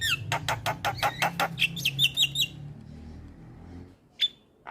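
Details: Black-winged myna tutor song for quiet mynas: rapid harsh repeated notes with a few short whistles, then near silence broken by one final sharp note.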